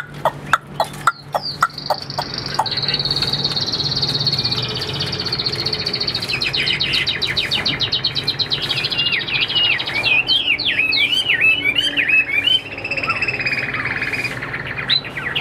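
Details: Caged Chinese hwamei offered for sale, starting with sharp clicks. A long rapid buzzy trill follows, then a run of looping whistled notes and a wavering high tone. A low background hum runs throughout.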